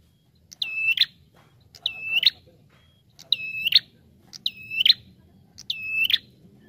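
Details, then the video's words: Bar-winged prinia lure calls: five high, clear whistled notes, each a held flat tone with sharp upward and downward flicks, coming roughly every 1.2 seconds over a soft low background hum. "SUARA PIKAT Burung Prenjak Tamu Gacor"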